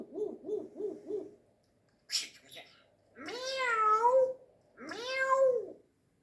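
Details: Grey parrot mimicking animal sounds: four rapid nasal hoots, a brief rasp, then two drawn-out, rising-and-falling meows like a cat.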